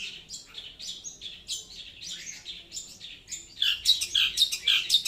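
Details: Long-tailed shrike song, loud and clear. It starts as a rambling, rasping warble, then grows louder near the end with sharp, high, squeaky notes.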